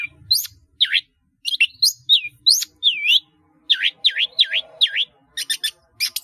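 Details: Lively caged long-tailed shrike song loaded with fill phrases, for training caged birds: varied whistled slurs, several dipping V-shaped notes repeated in a row, then quick high ticks.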